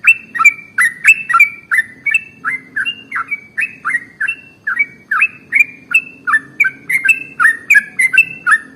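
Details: Sooty-headed bulbul (trucukan) singing a very long, rapid 'ropel' song used as a lure to train other birds: bright whistled notes sliding between two pitches, about three per second, with a low steady hum underneath.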